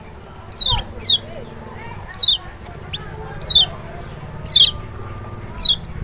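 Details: Kecial lemon-bellied white-eye from Lombok or Sumbawa, meant to provoke a silent bird into answering; seven piercing downward-sliding notes, a pair at the start, then spaced single notes over six seconds, with faint background noise.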